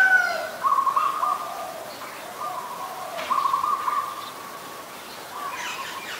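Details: Zebra dove, adult, recorded 28 December 2020 at Ubon Ratchathani, Thailand, giving clipped, stuttering cooing phrases that trail into softer drawn-out coos, repeated roughly every three seconds, with faint other bird notes in the background.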